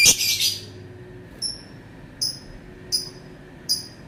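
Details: Lovebird calling: a loud harsh burst at the start, then four brief, thin, high whistled chirps, evenly spaced under a second apart.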